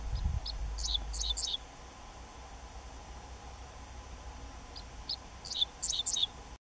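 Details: Dickcissel in Newton County, Georgia, on 18 May 2018 sings two short phrases of sharp, high, dry notes in quick clusters, several seconds apart, with a low rumble of wind at the start.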